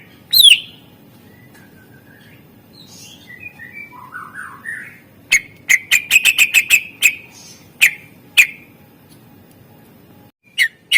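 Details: Greater green leafbird 'isian' song mixing a loud downslurred call, soft warbled and chattering phrases, then a rapid series of crisp clicks and spaced sharp notes; a master recording for lazy birds.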